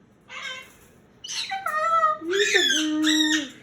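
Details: Pet Moluccan cockatoo in a bedtime tantrum, unwilling to enter its cage: a run of loud, rough screeches, the first short, then longer wavering cries that dip and level off into a sustained lower wail.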